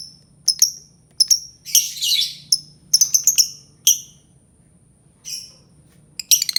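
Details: Albino lovebird making sharp, high, clipped chirps with quick falling tails, mixed with one rasping screechy burst, spaced irregularly with short silences between them.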